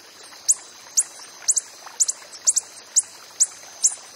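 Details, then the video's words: Coppery-headed emerald hummingbird calling in the wild: thin, very high chips given singly or in quick pairs, roughly every half second, over a faint steady high background hiss. "BURUNG KOLIBRI ZAMRUD DI ALAM BEBAS"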